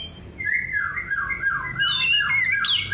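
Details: Orange-headed thrush, its song offered as a lure for birds that won't sing: continuous rich warbling in rolling, wavering whistles, climbing into higher, squeakier twittering toward the end.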